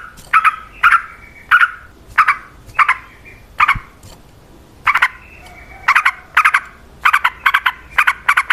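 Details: Yellow-vented bulbul singing lively, aggressive song used as a lure for other bulbuls: rich, bubbling whistled notes in short clusters, repeated roughly every half second to second, some doubled or tripled.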